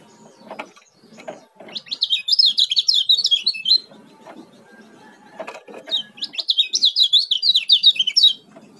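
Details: Oriental white-eye, a Lombok bird known locally as kecial kuning, singing two fast bursts of high, chattering, warbled notes around two seconds each, separated by a pause with soft low rustling and knocking sounds.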